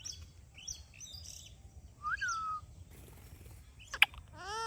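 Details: A talking rose-ringed parakeet gives sharp chirps, a clear falling whistle, a loud click and a brief voice-like phrase at the end, over a low background hum.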